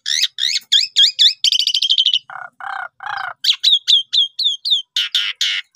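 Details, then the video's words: Asian pied starling song played as a lure to make other birds sing: quick sharp upslurred whistles, a dense chattering burst, low harsh buzzy notes, then a string of clipped rising whistles and rasping bursts. "Jalak Suren Paud, Pundung Langsung Respon Gacor Dengan Pancingan Jalak Suren Ini"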